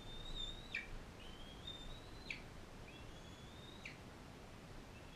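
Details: Bald eagle calls where a non-releasable captive female fosters a young eaglet from Powell River: three long, high, slightly rising whistles, each ending in a sharp downward snap, spaced about 1.5 seconds apart, over low hiss.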